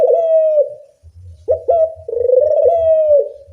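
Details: Loud puter, or Barbary dove, call serving as a training lure: a steady purring coo fades, then a sharp upslurred accent leads into a long rippling coo that bends downward, over low muffled knocking.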